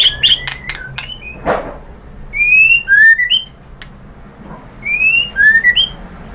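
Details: Lure song of a white-rumped shama to stimulate singing: scattered high clicks and whistles, then clean whistled phrases of falling and rising notes separated by quiet gaps.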